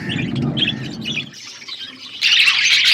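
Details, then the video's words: Flock of budgerigars eating food, giving short high chirps over a low rumbling background, then a sudden loud wash of dense, overlapping warbling chatter. "Beautiful budgies flocks birds eating food"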